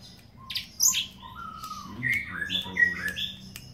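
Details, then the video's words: Teledekan gunung (blue flycatcher) singing actively, a varied run of clear whistled notes at shifting pitches, some sliding up or down, delivered in quick bursts over faint low background noise. "BURUNG TELEDE'AN GUNUNG GACOR FUUL"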